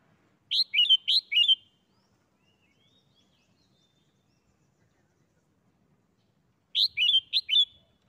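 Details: Caged red-whiskered bulbul singing the doubled 'bler' style, a pair of crisp, liquid whistled phrases with rolling downward endings, then a long silence of about five seconds before the same twin phrase returns.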